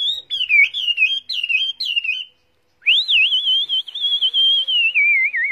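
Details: Caged, tame Chinese hwamei singing in its carried cage, long clear whistled phrases that wobble up and down, a brief pause, then a sustained sweet warbling whistle slowly falling in pitch.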